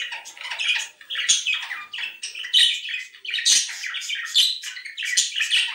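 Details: Budgerigars giving a breeding-stimulation call meant to encourage mating: dense, scratchy warbling chatter of rapid chirps and squawks, mostly high-pitched, in quick irregular bursts without pause.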